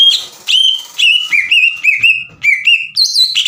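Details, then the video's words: Green leafbird lure song meant to spur untrained leafbirds into song: loud, rich whistles that bend downward, sometimes drawn out, ending with a higher, sharper phrase. "PANCINGAN CUCAK IJO GACOR AGAR CUCAK IJO BAHAN IKUT BUNYI"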